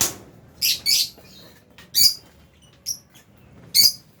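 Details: Albino and Fisher's lovebirds in an aviary, feeding on food, giving a few sharp, high, scratchy chirps spaced irregularly across a few seconds, with quiet background between the calls.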